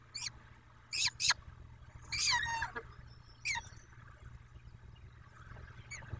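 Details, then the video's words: Peregrine falcons at the nest in Dobra on 14 May, early afternoon: short, sharp, high calls given singly and in quick pairs, then one longer, harsher, descending call, with pauses between them over a low steady hum. "Sokoły - Codzienność w Dobrej"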